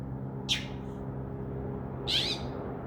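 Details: Northern mockingbird in a tree by a window at night, a known mimic of crows and other sounds: one brief sharp high note, then a longer, fuller harsh burst about 1.5 seconds later, with a low background hum.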